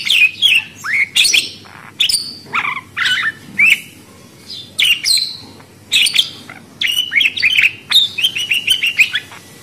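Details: Budgerigar calling in a steady stream of short warbling chirps, each bending up or down, quick bursts separated by brief pauses, bright and twittery.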